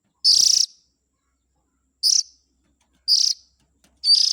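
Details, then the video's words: Oriental magpie-robin chick calls played as a lure to attract parent birds: short buzzy high-pitched rasps, each under half a second, repeated at irregular intervals of one to two seconds. "Suara Pikat indukan burung kacer ,suara anak nya"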